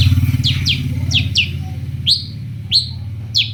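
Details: Long-tailed shrike used as a lure to make other shrikes answer: a run of sharp, downward-sweeping chirps, first quick and close together, then slower single notes, over a steady low mechanical hum.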